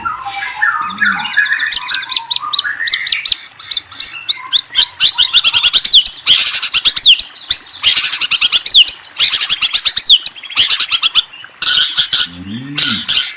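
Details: White-rumped shama delivering fast, dry chattering trills and clicking bursts in quick series, broken by brief pauses, with a few sweeping whistles early on and soft low double notes near the end.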